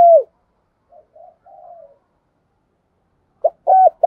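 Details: Spotted dove cooing while being trained: a falling coo tail, a few soft murmured notes, then after a pause another phrase begins with short sharp coos.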